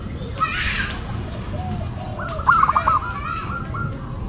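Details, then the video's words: A local zebra dove sings one main phrase of its classic, unusual song, a quick stuttered run of clipped coos fading into a softer trill, preceded by a faint brief note, against droning low background noise. "Perkutut Lokal Gacor Suara KLASIK Dan UNIK"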